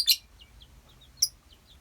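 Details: Two piercing high chirps from colony lovebirds, about a second apart, with faint soft twittering notes between them.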